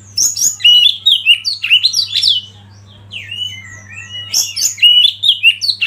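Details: Oriental magpie-robin singing as a lead or master bird meant to provoke other birds into song: loud, fast, varied whistled phrases with sharp upward and downward sweeps, a pause near mid-clip, then a renewed burst, over a faint steady low hum.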